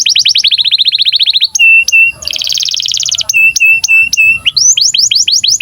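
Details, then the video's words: Canary in breeding condition singing vigorously as a tutor to prompt young canaries to sing and roll: a rapid run of sweeping notes, a steady whistled tone, a dense buzzy trill, then repeated rising chirps. "KENARI GACOR Cuit CUIT BIRAHI UNTUK PANCINGAN & MASTERAN Kenari PAUD AGAR BUNYI DAN NGEROL"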